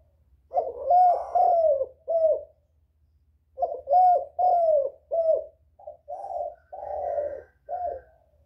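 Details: Spotted dove used as a lure to draw in other doves, giving two series of throaty coos, three to five notes each, roughly three seconds apart, the last series softer and more broken, over faint low hum.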